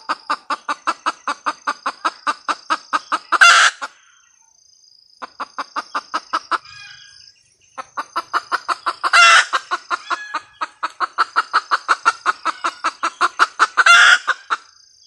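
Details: Female red junglefowl cackling: long runs of rapid, evenly spaced clucks, each series broken by a loud, harsh squawk near 3.5, 9 and 14 seconds, over a steady high-pitched whine in the background.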